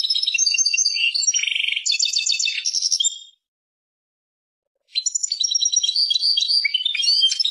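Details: Song of a European goldfinch from Persia: chattering twitters with a nasal buzzy trill and rattles for about three seconds, a pause, then another sparkling twittering phrase.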